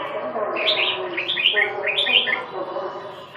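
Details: Red-whiskered bulbul giving bright, slurred whistled phrases that rise and fall in quick bursts of two or three notes, with a man talking steadily underneath throughout.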